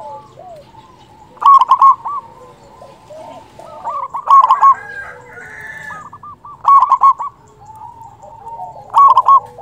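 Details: Local zebra dove singing steadily with a loud voice, used to lure doves for trapping and spur silent birds to sing: four loud rolling coo phrases every two to two and a half seconds amid softer cooing.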